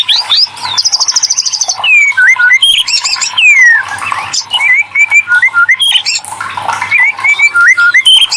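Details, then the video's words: White-rumped shama song used as a prompt to get silent shamas responding and singing: fast, varied run of whistled slurs, buzzy trills and rapid chattering notes, with rising and falling phrases around shrill high notes, continuous throughout. "TERAPI MURAI BATUterampuh burung macet langsung gacor"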